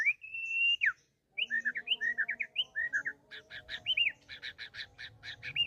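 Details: White-rumped shama singing while courting: a long steady whistle, a run of quick bouncing whistled notes, then rapid repeated stacked chips mixed with whistles.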